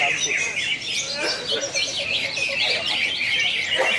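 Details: Greater green leafbird singing at a national bird-song contest in Pontianak, West Kalimantan, Indonesia, on 3 April 2016: rich, varied whistled phrases and chattering notes in a continuous stream, with crowd noise and voices behind.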